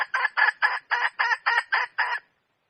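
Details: Wild red junglefowl hen producing nine loud, rasping clucks in an even, quick sequence, then falling silent for the last half second.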